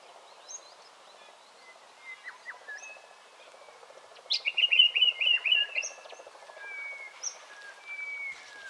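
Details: Yellow-plumed honeyeater, one of several vocal birds at Monarto Woodlands, South Australia, on 14 August 2021, giving a quick burst of bright, rapidly repeated chattering notes, with scattered thin whistles and chirps from other birds.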